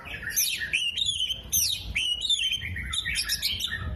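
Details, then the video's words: Vigorous Oriental magpie-robin song with tail spread, mixing in imitated 'kolibri', 'jenggot' and lovebird calls; shrill descending whistled sweeps and warbled twists, a faint low hum underneath. "KACER GACOR BUKA EKOR TEMBAKAN KOLIBRI, JENGGOT DAN LOVE BIRD"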